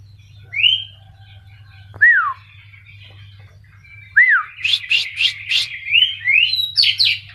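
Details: Oriental magpie-robin, a champion from Pati let loose to exercise as if in the wild: rising and falling clear whistles spaced apart, then a fast run of harsh scratchy notes and upslurred whistles, over a constant low hum.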